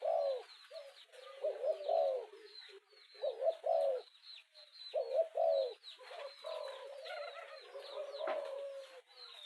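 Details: Spotted dove urging call meant to quickly provoke a decoy rival: hollow, low cooing phrases in bursts of two or three notes, about every second or two, with faint higher chirps in the background.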